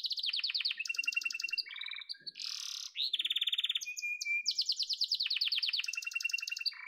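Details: Singing yellow domestic canary: quick trilled tours alternating with buzzy, rasping notes and a short flat whistle, phrases changing rapidly throughout.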